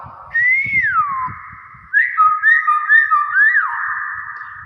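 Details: Hill myna, described as very vocal and in its natural voice, giving a loud whistle that rises and then slides down, then a run of quick bouncing whistled notes. Indoor room tone sits beneath.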